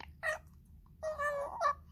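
An African grey parrot gives a brief voice-like squawk and then a longer, wavering, speech-like phrase with a short rising tail. The room is otherwise quiet.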